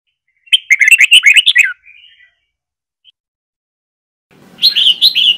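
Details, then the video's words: Red-whiskered bulbul singing a long Trà My style song, played for training other bulbuls to learn the voice: a burst of rapid, chirpy, warbled notes, a short pause, then another bright phrase begins. "Chào Mào Trà My SỔ BỌNG DÀI .Luyện Chào Mào Hót Giọng Trà My Cực Hay"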